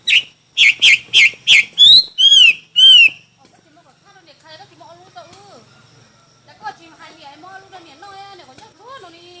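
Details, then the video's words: Chinese hwamei at a singing contest: a fast series of loud, sharp whistled notes, then three swooping slurred whistles, followed by quieter low sounds. "Hoạ mi hót đấu"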